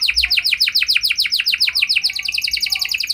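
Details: Canary in lively full song, meant to prompt other canaries into answering: a fast high trill of repeated downslurred chirps, roughly three per second or more, running steadily throughout with a brief change of note near the end.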